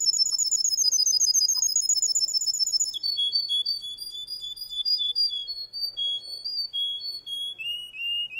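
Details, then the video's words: Male Russian canary in song: a rapid high rolling trill for three seconds, then a string of shorter whistled notes stepping gradually lower in pitch. "Russian canery male singing"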